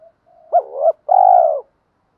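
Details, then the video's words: Provoking call of spotted dove decoys, male and female, meant to make a rival answer with fighting coos: a short low hum, an abrupt double note, then a long, rolling, falling coo. No background noise. "Tiếng chim cu mồi thúc đấu/ chim cu gáy kích bổi nhanh nổi gù đấu lại/ chim cu cườm thúc rút bổi"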